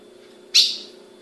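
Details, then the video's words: A captive female ultramarine grosbeak calls, giving a single sharp, high, clipped chip that fades quickly, over a faint steady low hum. "Fêmea de azulão piando"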